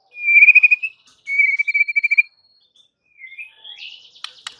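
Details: Provoking song of a white-rumped shama, two long pulsed whistles on a steady pitch, followed by softer rising notes and a sharp click.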